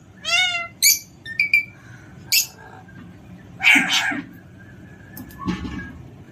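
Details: Playful pet Alexandrine parakeet giving a series of harsh squawks, some descending and harmonic, others short and noisy, spaced irregularly over several seconds with quiet gaps between.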